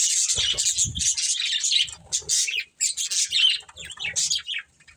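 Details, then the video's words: A breeding pair of budgerigars chirping in choppy high, buzzy bursts with squeaky notes, spaced by short gaps, over light low rustling. "Cute Budgies Chirping Sounds | Love Birds Breeding Pair"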